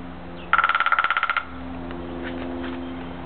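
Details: Downy woodpecker drumming on dead timber bamboo in a back yard, a pattern heard early every morning and evening: a single fast roll of about fourteen ringing, hollow knocks in under a second, over a steady low hum.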